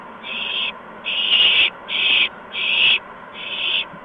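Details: Owlets being fed mice and a gopher by their parents at a nest, evening of March 13, 2015, near 8 PM; five rasping, hiss-like bursts in quick succession with short gaps between them.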